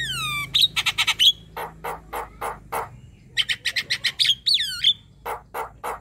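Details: Lively young Javan myna song for training other birds: a falling whistle opens rapid buzzy bursts and clear whistled notes, then a string of lower harsh chacks and another busy burst of grating and whistled notes.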